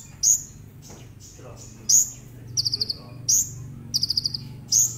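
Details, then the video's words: Brown-throated sunbird, or konin, played to coax other sunbirds into singing: piercing high downslurred notes about every one and a half seconds, alternating with quick stuttering trills of five or six notes, over a low background hum. "Pancingan konin agar cepat nembak"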